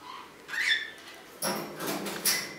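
A green-naped lorikeet gives a few harsh, screechy squawks with a brief shrill whistled note, in short bursts about half a second apart.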